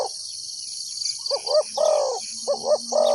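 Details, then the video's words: Spotted dove calling as a decoy to trap wild birds: two mellow cooing phrases, each a quick double coo followed by a longer, rolling coo, against continuous high-pitched insect buzzing. "chim cu mồi gáy gọi bổi"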